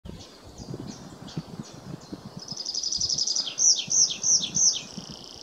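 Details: Tree pipit singing at Hagestad Nature Reserve, Sweden, on 24 April 2023: high, thin notes, then a quick trill and a closing run of drawn-out, falling 'seea' notes, over a faint background rumble.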